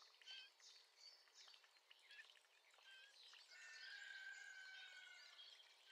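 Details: Male Eurasian blackcap singing about 30 metres away, recorded from a kitchen window with a camera: scratchy, hurried twittering notes give way to a clear, fluting whistled phrase held in the second half.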